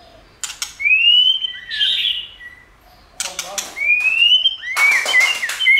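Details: White-rumped shama song: clear whistled upslurred notes sliding between about two and four thousand, broken by short clicking bursts and brief pauses.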